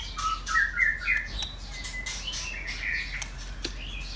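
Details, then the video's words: Caged male white-rumped shama, an old model singer, giving a quick opening burst of rich warbling whistles, then a long thin whistle and a few softer notes against steady hiss. "White Rumped Shama"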